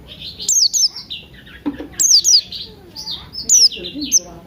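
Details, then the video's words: Buxton's white-eye morning song, used as a lure to get other birds singing; bright, high chirped notes sliding downward in short bursts about every 1.5 seconds, over lower whistled notes and soft background sounds. "Pleci Buxtoni Ngalas Pagi Hari"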